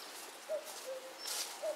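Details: Eurasian cuckoo in the Himalayas of Uttarakhand, May, wagging its tail while calling: one two-note cu-coo, higher then lower, followed by the start of another, with a brief high hiss over a noisy background.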